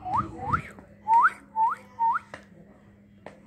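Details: A pet common myna, let loose on a bed after its first bath in the bathroom that day and eating, gives five clear rising whistles, each under half a second, with soft clicks and a faint indoor hum.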